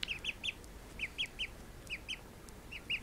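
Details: Call duck ducklings, just woken from a nap, give high, thin, down-slurred peeps in quick bursts of two or three, with brief pauses between bursts and a faint background hiss.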